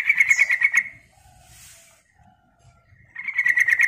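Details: Sooty-headed bulbul used for luring birds, giving two fast harsh chatters of clipped buzzy notes separated by about two seconds of faint hiss.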